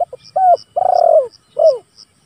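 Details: Spotted dove calling out to rivals, used for luring and training other birds: a short double note, then a loud rolling coo that slurs downward, and a clipped falling end note, over rhythmic high-pitched insect pulses.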